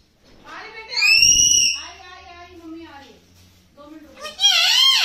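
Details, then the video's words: Pet talking parrot making high-pitched, speech-like phrases with tonal, wavering notes, ending in a loud harsh squawk. A low hum runs underneath. "Amazing Talking Parrot"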